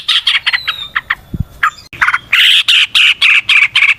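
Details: A yellow-vented bulbul sings energetically as a lure for other birds: scattered chirps, then a loud series of harsh, evenly spaced, buzzy notes.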